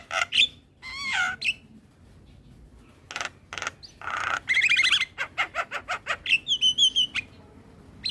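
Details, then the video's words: Morning song of a Javan pied starling meant for young birds to copy: rough squawks and wavering whistles, a gap, then clipped harsh notes and bright high whistled phrases near the end. "Suara Kicauan jalak Kebo P{agi Hari Bikin Burung jalak Muda cepat niru Suaranya"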